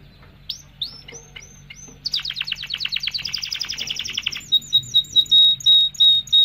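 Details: Canary singing to stimulate mating: spaced rising whistled notes, then a long rapid trill, ending in repeated sharp notes over a steady pure high whistle.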